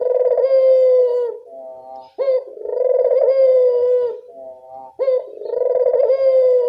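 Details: Evening Barbary dove call used to lure doves that rarely call: two long, rich, slightly falling coos, each followed by a quiet lower trailing note and a sharp rising onset.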